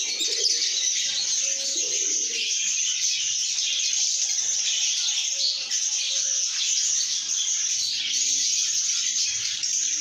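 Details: Happy lovebirds sing and chirp nonstop, a dense high-pitched chatter, with a few faint steady whistled tones low in the mix.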